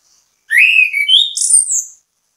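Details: Orange-headed thrush bait song meant to set other birds singing: one loud, rich phrase of clear whistles rising and falling, ending in a high slurred note.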